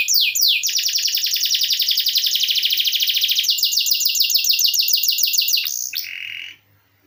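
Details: Canary singing loudly as a tutor song for training songbirds: opening downward sweeps lead into a long rapid buzzy trill, then a slower rattling series, ending with a short burst before silence.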